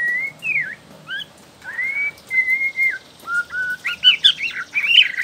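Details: Young wild-caught Bornean white-rumped shama (Copsychus malabaricus) singing varied clear whistles, some rising and some sliding down, then a quicker burst of rich warbled notes near the end. The song is used to prompt other shamas to sing.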